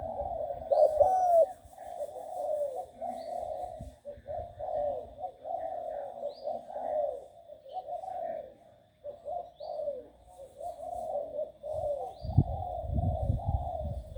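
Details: A six-month-old young spotted dove being trained coos steadily, a soft low hooting phrase repeated over and over with brief pauses, while faint chirps of small birds sound in the background.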